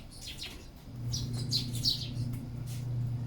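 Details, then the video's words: Sparrow calling while feeding: a quick series of short, high, bright chirps, several clustered between one and two seconds, over a steady low electrical hum. "Sparrow Feeding sounds."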